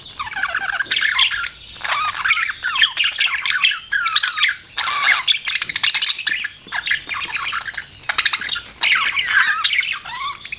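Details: Continuous budgerigar chatter: harsh squawks blended with rising and falling warbled whistles and clicks, steady and busy throughout.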